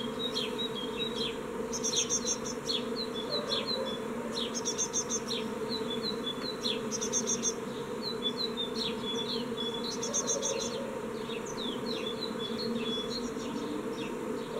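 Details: Fledging of young great tits from a nest box on 14 May 2017, with only one young bird flying out; repeated thin, high downslurred calls and periodic buzzy stuttering bursts sit over a continuous low droning hum.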